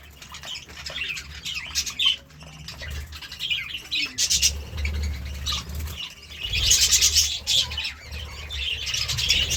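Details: Morning chirping of budgerigars: busy, overlapping high chatter and squeaks, building to a louder, denser burst in the second half, with a low droning hum underneath.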